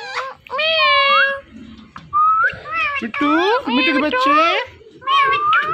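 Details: Talking pet Indian ringneck parrot: a quick stream of wavering, voice-like syllables interspersed with rising whistles, loud and close, almost continuous over nearly six seconds.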